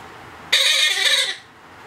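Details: Blue-headed parrot chick, two months old, during hand-feeding: one loud harsh raspy squawk lasting under a second, broad and noisy with stacked tones, in a quiet indoor room.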